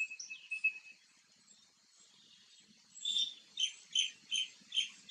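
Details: Green bee-eater calling: after a few faint high chirps, a run of short, bright, sharp chirps begins midway, repeated about two to three times per second in a steady series against a quiet background.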